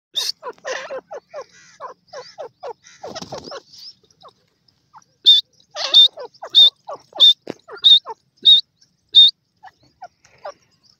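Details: Caged pair of dakhni fighter partridges in an arrow cage: rapid runs of short, rising, harmonic notes, then a regular row of sharp high whistled notes about every two-thirds of a second, with a brief scratchy burst between.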